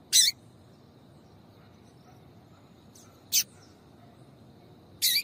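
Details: A female double-collared seedeater gives sharp, high, clipped chirps at irregular gaps of about two to three seconds, three in all, a call used to get males singing; a faint steady hiss continues underneath.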